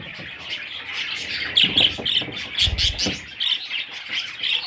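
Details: Baby parrots produce bright, squeaky chirps in quick clusters over a steady high chatter, with soft bumps and knocks partway through.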